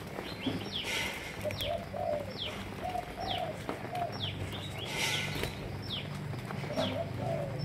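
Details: Malaysian-strain spotted doves kept for breeding coo in low, rounded notes through the recording, while many thin, high descending chirps from other birds repeat every second or so over a broad hiss.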